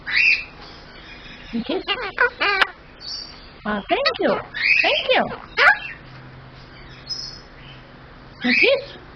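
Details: Pet male superb parrot mimicking human speech with phrases such as "thank you" and "kiss": short, voice-like bursts with wavering, swooping tones, separated by brief pauses, indoors.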